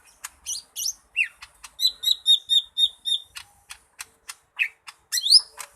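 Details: Lesser green leafbird mixing dry clicks with a run of about seven identical short whistled notes, then squeaky slurred phrases near the end.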